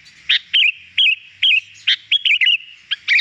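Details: Kutilang, the sooty-headed bulbul, singing gacor as bait for wild birds; clear wavering whistles alternate with abrupt sharp notes, a few phrases in quick succession.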